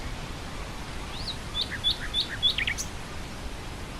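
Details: Nightingale singing in grassland with wind: one brisk phrase of four or five high, sharp, upswept whistles followed by a few lower rasping notes, against a steady windy background.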